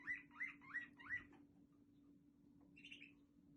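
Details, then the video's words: Waterslager canary from Quetta: four rising whistled notes in quick succession, a pause, then a short soft warble over a steady low hum. "Quetta waterslgar canary singing very nice"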